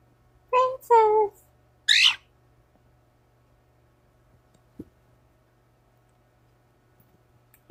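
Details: Pet cockatiels greeting in the morning indoors: a few harsh, grating squawks in quick succession within the first two seconds, then near silence with a faint low hum and a single click.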